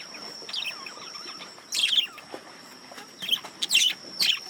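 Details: Male budgerigars reacting to a lemon cucumber give soft warbling chatter that breaks into louder, scratchy high bursts, three or four in quick succession, with a faint steady high tone behind.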